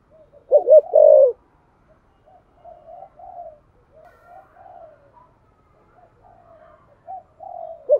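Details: Spotted dove cooing to prompt other doves: one loud burst of three low hooting notes early, followed by a long stretch of faint, softer coos from farther doves.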